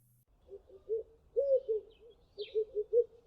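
Red-eyed Dove giving low, hoarse cooing notes in a rhythmic series, one longer accented coo then several short repeated coos; a faint higher chirp briefly in the background.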